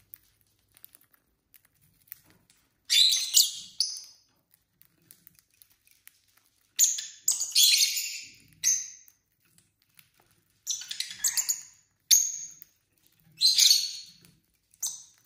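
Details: Pet lovebird couples at dinner time give scattered bursts of shrill, squeaky chirps, each lasting about a second, spaced by pauses with faint rustling between.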